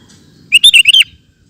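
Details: Sooty-headed bulbul (kutilang) delivers one loud ropel phrase: five fast, rich, bubbling slurred notes in half a second, then silence.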